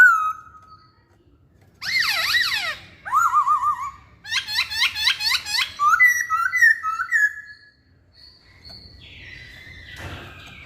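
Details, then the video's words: Song of a masked laughingthrush: sweeping downslurred whistles, a fast descending run, a rapid rhythmic series of looping notes, then steady slurred whistles fading into quieter, scratchy sounds. "Kicauan Poksay Hongkong"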